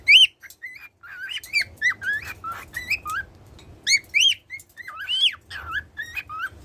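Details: A cockatiel kept as a pet, which sings daily, delivers a lively string of clear, bending whistles. The notes come in quick bursts, alternating rising and falling slurs, with short gaps between phrases.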